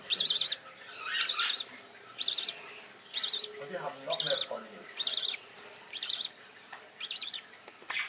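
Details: Rainbow budgerigar nestling, youngest of the brood, seeks support and warmth among siblings in a nest box; rhythmic raspy wavering calls come roughly every second, fading slightly, with faint low rustling.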